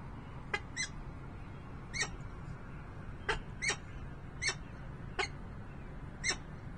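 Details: Peregrine falcon at a Harrisburg, Pennsylvania nest on 28 November 2020 gives sharp, rasping single and doubled calls at irregular intervals against a low background rumble.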